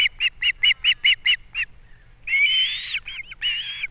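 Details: ['Osprey at a Captiva nest, 3 April 2022, morning fish delivery with chick feeding: a steady run of eight clipped whistled chirps, a pause, then a long shrill rising squeal with a few shorter squeals after it.']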